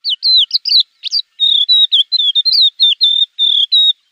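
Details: Javan bush lark tutor song used to train caged birds, said to draw an instant response from untrained birds: rapid high whistled notes and slurred chirps, many rising and falling, strung almost continuously with short gaps, no other sounds.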